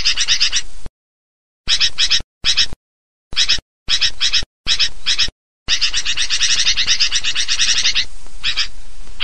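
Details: Sooty-headed bulbul lure recording meant to attract birds: dense, noisy chorus of harsh chattering notes in bursts, broken by abrupt silent gaps, then a long continuous stretch of busy chatter.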